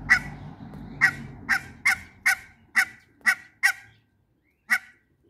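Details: Mallard duck in a backyard, with a mallard pair meeting two male and one female hybrid runner ducks; nine loud, harsh, nasal quacks, the first in steady succession, then slowing, with a longer pause before the last.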